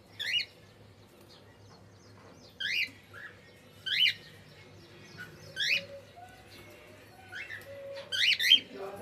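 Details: Pet cockatiel singing indoors: short bright rising chirps and squawky whistled notes in bursts roughly every one to two seconds, with a steady low hum and a faint mid-pitched tone in the background.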